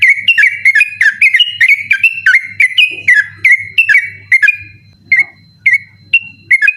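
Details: Persistent nocturnal 'ropel' singing by a yellow-vented bulbul, kept as a tutor recording for contest birds: dense chattering chain of sweet whistled notes, then sparser single whistles, over a low steady drone.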